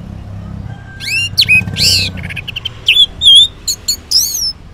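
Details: Varied morning ngeplong song of an orange-headed thrush, used as a lure so silent males reply: sweeping slurred whistles and buzzy notes, then short ringing whistled notes.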